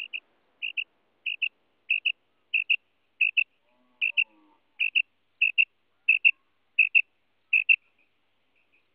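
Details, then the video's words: Female common quail (madi batair) giving soft, high paired notes repeated steadily about every two-thirds of a second, its call used for hunting quail; otherwise quiet. "Female Common Quail sounds madi batair ki kirk female batair sounds for hunting"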